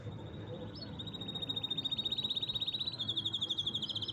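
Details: Canary song building into a long, fast, even trill of rapid pulses that steps up slightly in pitch near the end, over a low background rumble.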